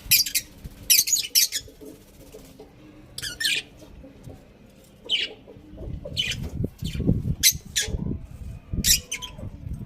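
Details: Pet budgerigars give bursts of high, rasping chirps, while lower clucking and rustling from other birds or movement fill the second half.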